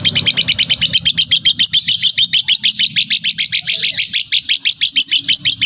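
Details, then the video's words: Long-tailed shrike song used as a master to prompt other shrikes to call: a fast, even chatter of sharp, grating ticks, roughly three per second, running steadily throughout above a faint low hum. "Terbukti ampuh... cendet lain bakal langsung bunyi || masteran cendet"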